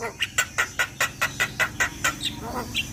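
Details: Javan myna song for drawing out a silent bird, a steady run of about ten short harsh chips at even spacing, ending with a couple of higher notes.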